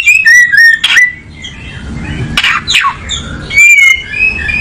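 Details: Oriental magpie-robin, a songbird of tropical South Asia and Indonesia, settling into a comfortable perch: loud whistled phrases with sliding notes and harsh squawky bursts, irregular and varied, over faint low background rumble.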